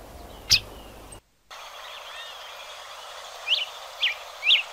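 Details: Hepatic tanager (Fueguero) in Bosque de los Constituyentes, Rosario, Argentina: a single soft knock early on, then three short, sharp, downslurred chip notes about half a second apart near the end over steady background hiss.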